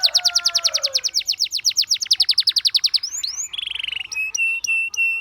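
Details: Canary song for coaching others to sing: a long even trill of about eight notes per second with a low whistle beneath, then upswept notes, a buzzy roll and steady flat piping tones.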